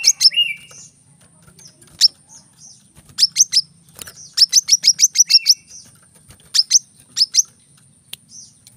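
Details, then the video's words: Brown-throated sunbird song in the tight 'tembakan rapat' style, used as a training recording for cage birds: bursts of sharp, high chips in quick clusters, separated by short pauses, with a brief lower buzzy trill near the start. "kolibri kelapa | manggar | wiceh | masteran temabakan rapat bikin cepat gacor dan buka paruh"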